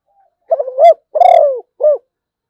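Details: Zebra dove singing one full phrase: quick bubbling notes, a drawn-out rich coo sliding downward, then a single short coo at the end.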